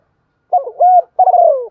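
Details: Spotted dove used as a lure bird, singing in the 'giọng thổ' style: a brief low phrase with a gravelly opening, a steady mellow hoot, then a longer burred note sliding downward.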